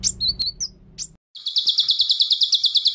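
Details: Ciblek sawah in loud song, used as training material with Cililin-style fill: a few quick high whistled slurs over low rumble, a brief gap, then a fast, even series of buzzy high notes, about fifteen in under two seconds.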